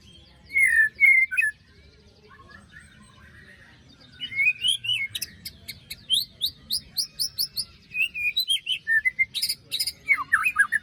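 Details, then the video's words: White-rumped shama song used as a lure to restart singing after moult: loud clear whistles and trills near the start, a quiet gap, then fast harsh rasping notes and rising whistled phrases repeated rapidly to the end. "Pancingan murai batu macet bunyi paska mabung terbaru besetannya bikin ngilu!!"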